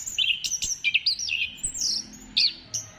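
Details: Orange-headed thrush singing as a stimulus for other birds: a dense, lively string of bright whistled notes, quick slurs and chirps, with a high thin whistle sliding down near the middle.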